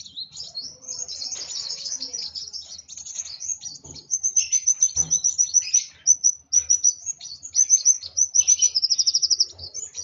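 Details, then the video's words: Worked-up sunbird, called kolibri wulung, pouring out a long, continuous stream of very high, hurried twittering, broken by repeated quick trills and ending in a tight run of rapid ringing notes. "Burung Kolibri Wulung Emosi Sampai ke Ubun Ubun"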